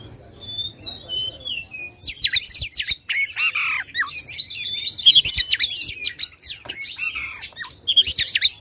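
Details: Oriental magpie-robin, loud song to rouse contest birds: soft whistles at first, then an outburst of dense harsh chirps, rapid trills and twisting whistled notes continuing to the end.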